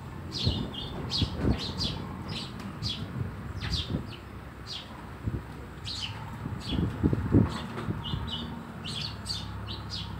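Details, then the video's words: Sparrows around a house, quick high chirps repeated unevenly by several birds, over low rumbling background noise and some knocking sounds. "Every Day is Sparrow Day at our House"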